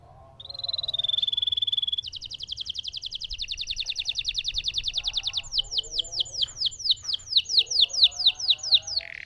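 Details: Lemon canary delivering a long rolling song: a steady whistled tone, then a long fast buzzy trill, then repeated ringing downslurred notes about twice per second, with faint lower twittering behind.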